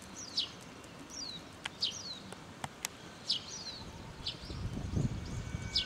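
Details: Japanese wagtail in Kanagawa on 24 April 2012 gives sharp, high, down-slurred chips in loose pairs about once a second, with a few dry clicks and a low rumble of background noise.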